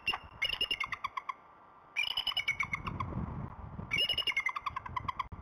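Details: Pair of bald eagles at the Decorah North Nest on a February 2016 morning, working on the nest bowl and announcing arrivals to each other. Three bursts of high, sharp chittering notes, each a quick descending series, over low background rumble.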